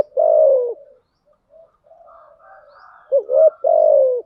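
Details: Lure cooing of a spotted dove, thúc gù and gáy gọi style, meant to bring wild doves in: a long falling coo, a stretch of soft low mutters, then a short rising note and another long, sagging coo.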